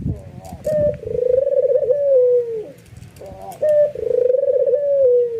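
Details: Albino white ringneck dove giving excited, nodding coos that spur other doves on: two long, tremulous coos dropping in pitch at the end, each begun with a short clipped note, a light thump at the start.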